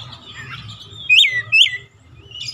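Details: Oriental magpie-robin in song meant to get a silent bird singing: two loud, down-slurred whistles half a second apart over a soft low rumble, ending with a brief scratchy note.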